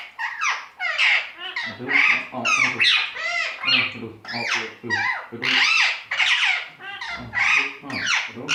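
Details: Indian talking parrot chattering in a steady stream of harsh, voice-like syllables that imitate human talk, phrases rising and falling with only short gaps between them.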